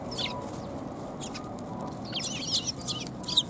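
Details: Several sparrows gathering for food at a Tenmangu shrine on 4 January 2021, giving a scatter of short, high chirps that grow busier toward the end, with a constant low hum behind.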